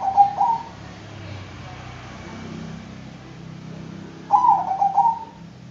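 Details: Song of a Bangkok zebra dove: the tail of one cooing phrase, a pause of a few seconds, then a full bubbling phrase of rapid soft notes; low hum beneath.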